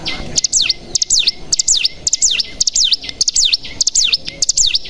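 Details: Mountain tailorbird lure song for prompting birds to sing: clusters of sharp, high, zigzagging whistled notes, given in short bursts about every half to one second, over a faint steady background hiss.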